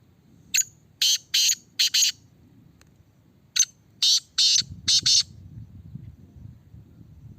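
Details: A captive Black francolin in a red cage, being tested for its call, gives two harsh, grating phrases, each of about five loud, clipped notes delivered fast, over a low background rumble.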